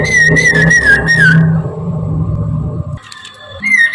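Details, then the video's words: Morning song of a Chinese hwamei used as a lure: a short burst of clear, wavering whistled notes that stops abruptly, then quiet with a steady hum before a faint whistle returns at the end. "kicau gacorr poksay Mandarin dipagi"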